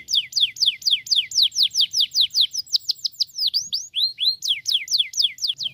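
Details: Singing canary used to prompt other canaries into song, giving steady rhythmic series of high downward-swept whistles, shifting midway to curved up-and-down notes before returning to the falling sweeps.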